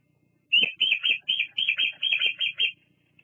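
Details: Female bald eagle visiting her nest on an evening in July 2022 at Fraser Point, captured by live nest cam: a chattering series of about nine sharp, high, slightly squeaky notes delivered rapidly, then silence.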